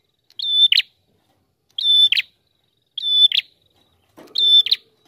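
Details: Visiting prinia singing steadily. Short, high, buzzy notes with a sharp whistled onset come in evenly spaced bursts about every 1.3 seconds, four bursts in all, over an otherwise quiet background with a faint low rustle near the end.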